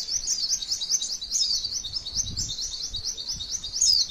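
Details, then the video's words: A white-eye sings a long, continuous run of high, thin, rapid chirps and twittering trills without pause, with faint low background noise; possibly a female's song. "MASTERAN PLECI TEMBAKAN MANTENAN PANJANGGGGGGG"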